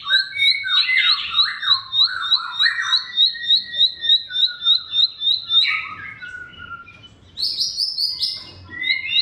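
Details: Varied bar-winged prinia song played as a lure for silent or sluggish birds. Rapid high chirps repeat over sweeping lower whistles, then a brief pause. A burst of shrill, buzzy trills follows and ends in tumbling notes.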